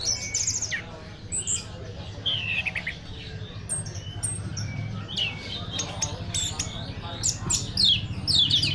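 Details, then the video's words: Caged orange-headed thrush from Tasikmalaya, Indonesia, a frequent first-place contest winner, singing a varied stream of high chirps, sharp downslurred notes and trills over a steady low hum, while a man calls to it. "Burung anis juara 1 tasikmalaya"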